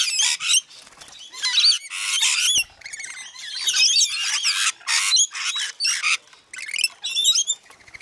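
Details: Flock of rainbow lorikeets feeding, busy shrill chatter of screeches and twisting squeaky notes, almost continuous over eight seconds with brief breaks.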